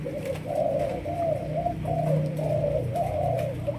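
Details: Young spotted dove of the Malaysian type, in decoy training, utters quick rolling coo notes strung into a continuous burbling phrase over a low rumbling background.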